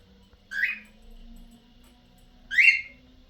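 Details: Cockatiels giving two loud, rising whistled calls about two seconds apart, each a short upward-sweeping note with a harsh edge, over a faint low hum.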